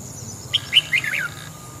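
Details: Red-whiskered bulbul singing in the morning, used for voice training: a single quick phrase of four bright, warbling chirped notes dropping slightly in pitch, over quiet low hum.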